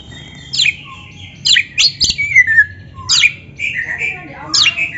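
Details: Training song of an Oriental magpie-robin for captive birds: spaced harsh downslurred chips alternating with drawn-out wavering whistles, delivered in separated phrases over a quiet background.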